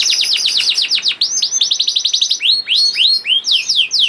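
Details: Juvenile canary delivering a lively song to prompt others to sing: quick bursts of falling whistles repeated several times a second, interspersed with rising upslurred notes, clear and high-pitched.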